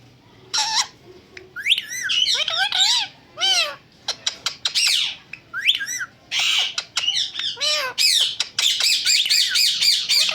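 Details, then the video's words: Talking parrot giving a busy run of harsh squawks, rising and falling whistled notes and short clicks, with bursts of loud screeching near the end. "Best And Super Talking Parrot"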